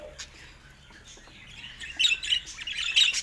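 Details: Faint budgie twittering grows louder into bright, squeaky chirps and short warbled notes near the end.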